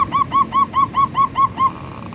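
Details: Perkutut manggung, the song of a zebra dove: a regular chain of eight soft cooing notes, evenly paced and level in pitch, backed by a gentle low hum.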